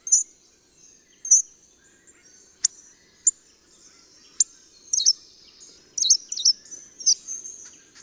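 Hawfinch giving sharp, high, clipped 'tzik' calls at irregular intervals, some doubled or in quick clusters, over a faint low background hum.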